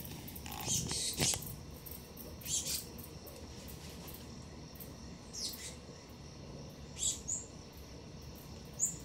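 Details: A young male Black-goggled Tanager in a garden, visiting a fruit plate for the first time while a pair of Dusky-legged Guans watches, gives thin, very high, sharp chips, singly or in quick pairs every second or two, over a steady hiss.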